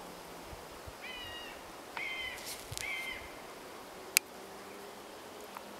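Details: Three fledged young common buzzards, out of the nest and still dependent on their parents, sit in trees about 100 m into a western woodland section, giving short, thin, slightly falling mewing whistles, about three in quick succession, with sharp clicks.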